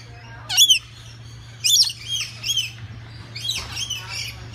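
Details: Lorikeets in a zoo exhibit at the Cleveland Zoo give shrill, screechy chattering calls in short bursts, several overlapping at irregular intervals over a steady low hum.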